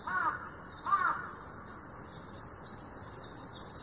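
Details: Large-billed crow calling, two hoarse caws early on, mixed with thin chirps of other small birds, including oriental greenfinch and bulbul, recorded live in Japan.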